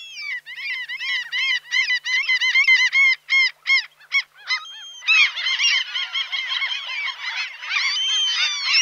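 Common gull: a quick run of high, nasal, yelping notes, about three or four a second, then several gulls calling over one another in a dense chorus.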